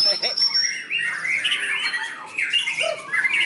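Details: A captive White-rumped shama at a bird-song training field in Sragen pours out a rapid, unbroken string of varied phrases, harsh squawky notes jumbled with bright high whistles, with a faint human voice behind.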